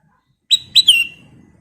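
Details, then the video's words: Sooty-headed bulbul lure song, a clear whistled note, then two more close together with the last slurring downward and fading, soft low murmur behind. "KICAU BURUNG KUTILANG EMAS GACOR"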